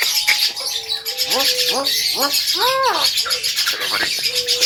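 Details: Male Javan myna, said to speak like a parrot: arched, slurred harmonic notes rising and falling, given one after another, with level whistled tones before and after over background hiss.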